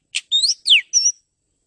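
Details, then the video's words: Short burst from a male Oriental magpie-robin in a masteran recording for training male birds: a brief harsh note, then a rising whistle, a steep downslurred whistle and a level piping note, all within about one second. "TERAPI MASTERAN MENTAL KACER JANTAN TES KETANGGUHAN KACER JANTAN BIAR GAK LETOY"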